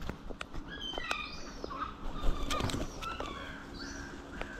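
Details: Gulls calling while eating: a run of short, slurred, downward-sliding squeals, often two or three close together, over a low rumbling background with soft thuds and footstep-like knocks.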